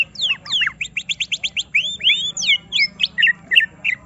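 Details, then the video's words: Greater green leafbird agitated into unloading its song: rapid sweeping whistles and a quick run of evenly repeated chirps, then looping slurred notes and sharp squeaks in a continuous lively stream. "Semua Cucak Ijo Langsung Emosi Bongkar Isian mendengar suara Cucak Ijo lagi di Trek Emosi ini"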